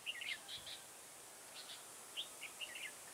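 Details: Red-whiskered bulbul decoy singing during trapping in a garden on 9 October 2017: faint short warbled whistled phrases, two clusters near the start and a run of quick rising and falling notes toward the end, steady background hiss.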